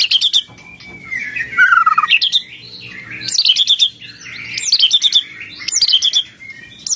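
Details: White-rumped shama singing in cililin style (isian cililin): a long descending whistled slide, then bursts of rapid high chips and twitters repeated every second or so, with a soft low background rumble.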